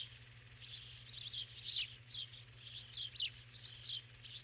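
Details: ['Starling recorded on 7 June 2015, a faint continuous chatter of squeaky whistles and clicks with occasional sharp high notes, over a steady low electrical hum.']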